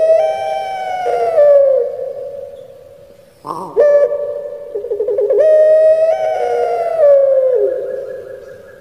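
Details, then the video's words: Puter pelung Barbary dove kept in Indonesia, 'crying' voice: a long note ending in a downward slide, a sharp break, then a fresh phrase of quick rolling pulses leading into a sustained tone that falls away. "𝙋𝙪𝙩𝙚𝙧 𝙋𝙚𝙡𝙪𝙣𝙜 𝙎𝙪𝙖𝙧𝙖 𝙈𝙀𝙉𝘼𝙉𝙂𝙄𝙎"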